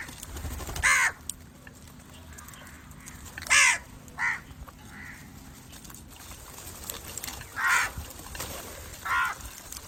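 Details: Crow giving six separated harsh caws with long pauses between them, some calls doubled closely, against a faint outdoor hiss.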